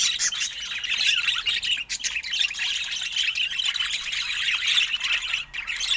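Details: Budgerigar kept as a pet, calling during play with its owner; continuous busy twittering and scratchy warbled notes without pause.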